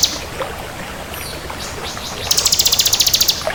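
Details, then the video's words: Bar-winged prinia, crystal (kristal) type, in full song. After a quiet stretch of faint hiss and scattered chips, a dense, buzzy, very high trill of rapid even pulses lasts about a second. "Suara Burung Ciblek Kristal Gacor"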